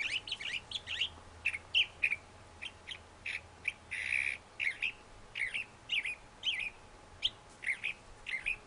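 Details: Thrasher song: a steady sequence of short, varied phrases of chirps, slurred whistles and harsh squawky notes, about two per second, clear over a quiet background with a faint low hum.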